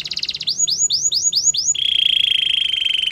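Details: Canary singing a training song: a brief buzzy burst, a series of five clear downward-curving whistled notes, then a long steady rolling trill held at one pitch.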